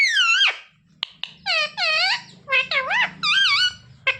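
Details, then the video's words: Pet parrot mimicking the words "mummy papa": a string of voice-like, bending syllables, a long falling opening phrase, then short clipped notes and wavering tones in bursts, with a faint low hum underneath. "मम्मी-पापा बोलने वाला सुपरस्टार मिट्ठू"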